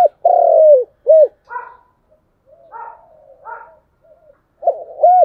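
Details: Spotted dove singing in the chiêu and thúc styles. A long drawn-out coo and a short arched note are followed by softer, broken, slightly higher notes, then two more bent coos at the end.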